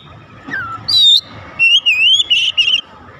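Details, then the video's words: Magpie-robin song used to prompt other magpie-robins into singing. A dropping whistle gives way to several bright, warbled, undulating whistled notes delivered closely together. "kicauan terindah memancing Kacer lain langsung gacor"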